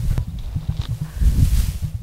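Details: Emus at a local emu farm: deep, low, pulsing drumming thumps repeating rapidly throughout, with a brief click and faint rustling.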